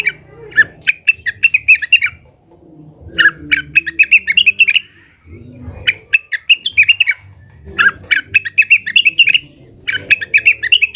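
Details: Agitated leafbird (cucak wilis) calling out to rivals: bursts of bright, rapid chirps and whistled notes repeated in phrases with short pauses, low thumping and rustling beneath.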